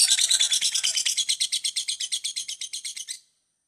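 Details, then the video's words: Shrill, fast lovebird ngekek chatter from a session longer than two minutes, a steady series of rasping pulses that ends abruptly into silence. "LOVE BIRD NGEKEK PANJANG 2 MENIT LEBIH"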